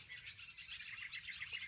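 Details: A dense evening chorus of many small birds arriving to roost in thick trees on a farm field bund in India, with high, thin chirps and twitters overlapping continuously over a faint low rumble.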